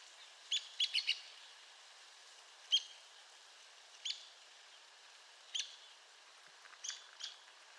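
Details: Arizona woodpecker with a fast burst of four sharp high notes, followed by single loud clipped calls spaced over a second apart and a closing cluster, steady faint hiss behind.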